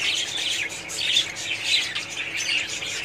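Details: A crowd of budgerigars in a colony, chirping and warbling continuously; sharper squeaky notes rise out of the busy chatter about once or twice a second.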